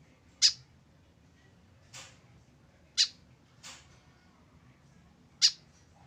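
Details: Tame white-breasted woodswallow left alone without a companion: three loud harsh notes alternate with two softer, hoarser ones, spaced about a second or more apart, faint hum beneath.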